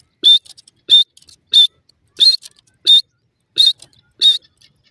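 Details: Irani teetar partridge in a cage during a fight: seven short, piercing high notes, each a quick clipped whistle, repeated roughly every two-thirds of a second against a silent background.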